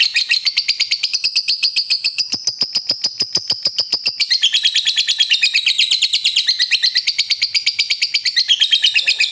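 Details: Long ngekek trill of a lovebird, used to provoke rival birds into singing: a dense, fast rattling chatter of high buzzy pulses that runs on continuously, shifting slightly in pitch partway through.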